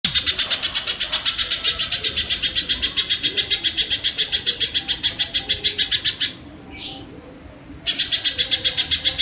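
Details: Kingfisher recording used as training audio for songbirds: a rapid, even series of sharp, high notes forming a long rattling trill, pausing briefly near the end with a faint softer note before the trill resumes.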